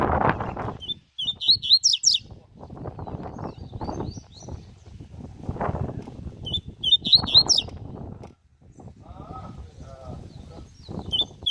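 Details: Coleiro (double-collared seedeater) singing during a training session: short bursts of high, sharp twittering notes near two and seven seconds, separated by loud low rumbling and clattering background noise.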